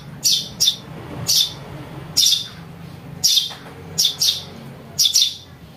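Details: Young house sparrow giving sharp, high chirps, often paired in quick doubles and spaced about a second apart, in a recording used for luring birds.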